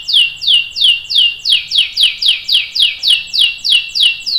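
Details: Canary rolling song used to tutor young and adult canaries: a steady repeated series of high downslurred notes, about three per second, evenly spaced and clean.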